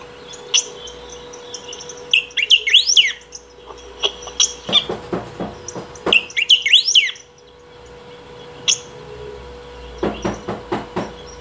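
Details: Saffron finch singing without stopping, to call or train; repeated phrases of fast zigzag whistles mixed with clicky chips and short bursts of chatter, with a steady low hum throughout.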